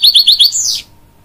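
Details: Canary and goldfinch hybrid singing to encourage young chicks: four quick, evenly spaced high chirps followed by a buzzy, descending sweep that fades after less than a second.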